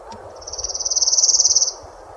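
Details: Palm warbler in spring at Orono Bog Boardwalk, Bangor City Forest, Maine: a high, loose, rattly trill of about fifteen quick notes on one pitch, swelling then stopping abruptly; faint low rumble behind.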